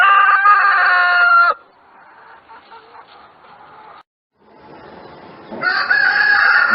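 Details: Rooster crowing: the end of one loud harmonic crow, a stretch of quieter murmuring and a brief pause, then a second strong crow rising in at the close.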